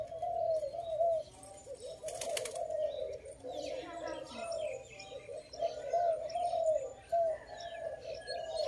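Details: Dove calling at a trapping site, a steady stream of rolling coos broken by a short pause, with a brief rustle or wing noise and twittering birds behind.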